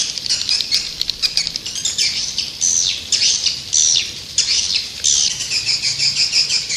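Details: Swiftlets twittering continuously: shrill, rasping chirps and short down-slurred squeaks about every half second, forming an unbroken high chatter.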